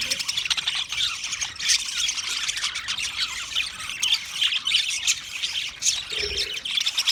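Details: Budgerigars giving a dense, continuous chatter of high squawks and chirps, many overlapping voices warbling without pause, with small bursts of louder squeaks throughout.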